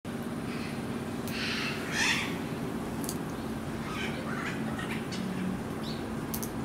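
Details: A military macaw at Higashiyama Zoo and Botanical Gardens, Aichi, Japan, on 22 January 2019 gives a loud, harsh, raspy squawk, then a few fainter grating calls, over a steady low mechanical hum.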